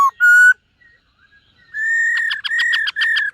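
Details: Silver-eared laughingthrush practising its morning song: a short whistle, a longer pure steady whistle, a near-silent pause, then a sustained whistle broken by rhythmic buzzy pulses.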